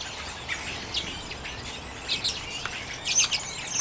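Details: Late January 2022, common redpolls eating sunflower seeds: scattered high, thin chirps every half second or so, building into a quick cluster of brighter calls toward the end.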